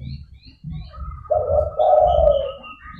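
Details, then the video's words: Chatty zebra dove call to lure opponents: a single loud two-part coo, a brief note then a longer rolling trill, against a steady high whistle-like tone and low rumble. "DERKUKU GACOR (DERKUKU PIKAT)"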